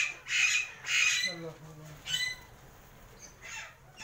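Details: Pet Alexandrine parakeets, newly acquired and untamed, give two loud grating squawks in quick succession, then a low voice-like murmur and fainter scratchy calls trailing off.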